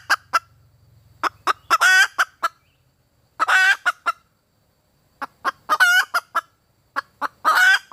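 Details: A red junglefowl hen calling for a mate gives scattered short clucks with four drawn-out, rough, wavering squawks, each trailed by a few quick clucks; a low hum sounds briefly at the start.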